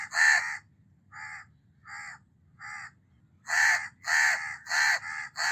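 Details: A harsh house crow caw, three softer evenly spaced caws, then four loud, grating caws in quick succession, with a low hum beneath.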